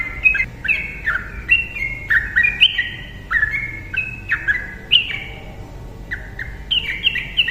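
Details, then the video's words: Yellow-vented bulbul in energetic chattering song, used to make silent birds sing: dense, overlapping short whistles jumping between pitches without pause. "TRUCUKAN GACOR NARUNG ROPEL cocok untuk pancingan burung TRUCUKAN DIAM"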